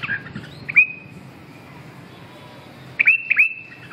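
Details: Red-whiskered bulbul voice-training recording: a quick chirp, then a clear whistled note held for a moment, a long quiet gap, and finally two or three bright whistled notes ending in a sustained tone.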